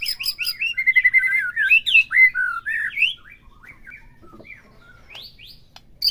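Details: Lively white-rumped shama song, played to spur a captive bird into singing: a dense opening of quick whistled and slurred notes, then sparser upslurred whistles with quiet gaps.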